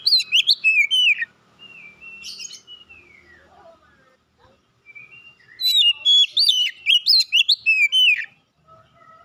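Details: Oriental magpie-robin that took first place in a singing contest: rapid clusters of bright, slurred whistles and high ticks, a softer sustained whistle, a pause, then another fast, energetic run of notes.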